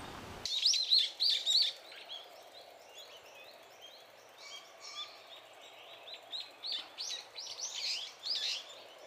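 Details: Brown-eared bulbuls in Japan feed on cherry blossom nectar and call loudly. After an abrupt start, sharp wavering squeals come in a loud burst. Softer arched notes follow, then grow into a louder series of looping squeals near the end.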